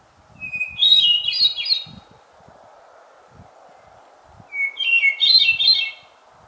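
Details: A Hermit Thrush in woodland sings two phrases about four seconds apart, each a long pure whistled note rising into a higher, fluty, swirling flourish; a steady low hum and soft thumps beneath.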